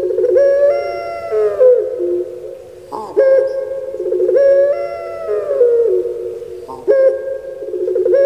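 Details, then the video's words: Pet puter pelung turtle dove from Java, Indonesia, repeating deep, ringing coos, each a sustained tone lasting one to two seconds with slight falling bends, about four phrases in sequence. "Puter Pulung Suara Gemanya Bikin Lupa Diri"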